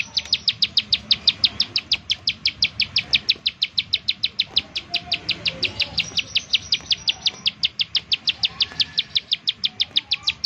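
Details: Lure call of bar-winged prinia, used to get other prinias singing: a steady unbroken run of sharp, high, clipped chirps, roughly three to four per second, lasting the whole stretch, with faint background chatter.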